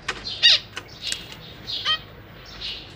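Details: Caged zebra finches, parents feeding young fledglings: a few scattered buzzy chirps over three seconds, one louder harsh note near the start, with light fluttering sounds.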